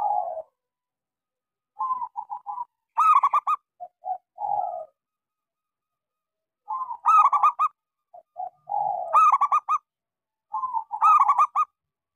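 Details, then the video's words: Local zebra dove, used as a lure to stimulate silent doves to sing, giving clear cooing phrases: a low coo, a few short stuttered notes, then a loud rapid burst of trilled coos, repeated in about three bouts. "Suara pancingan Perkutut lokal gacor suara kecil sangat cocok buat terapi kutut macet."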